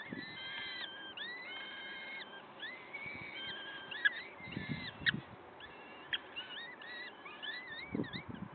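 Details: At a Wakefield peregrine falcon nest on 5 May 2021, early morning: busy overlapping whistled calls, short rising and level notes repeated about once a second, with scattered low thuds and clicks from movement nearby.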